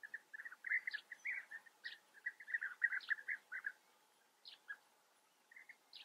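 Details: Rolling, trilled bee-eater calls from the Eifel region of Germany come in lively clustered runs, then fall to scattered single notes after a short lull, with occasional higher sharp chips mixed in.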